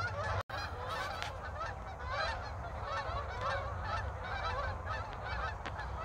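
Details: Many geese flying back and forth in a snowless Pacific Northwest winter: busy, overlapping honks and yelping notes from the flock throughout, with a brief gap near the start and low background rumble.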